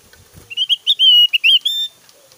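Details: Loud, varied whistled song of an actively singing Javan grey-throated white-eye: a fast string of clear, ringing whistles, short notes building into longer slurred phrases, rising and dipping, lasting under two seconds.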